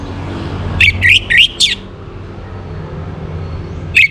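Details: Orange-headed thrush from northern Bali singing in the morning, recorded to bring birds into breeding condition: four quick rising chirps in a row, a pause, then another chirp, over low rumbling background.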